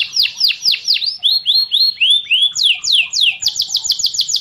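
A canary sings high, sweet tours of repeated notes: downslurred chirps about four a second, then rising-falling whistles, then a fast rolling trill.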